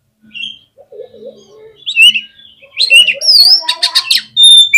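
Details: Oriental magpie-robin singing hard to stir up rival birds: soft low chirps, then loud slurred whistles and harsh buzzy bursts in quick succession, ending on a clear high whistle.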